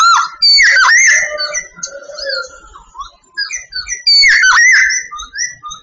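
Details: Sooty babbler of Vietnam delivering strong, swooping whistles followed by a rapid chain of short rising notes and lower warbled phrases, the loud swooping opening repeated near the end.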